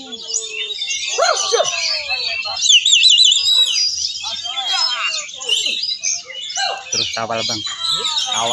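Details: Kacer, or Oriental magpie-robin, performing at a songbird contest. It sings a dense, unbroken stream of high warbles, wavering whistles and chattering trills, including kutilang (bulbul) mimicry. Human talk and crowd sounds are mixed in.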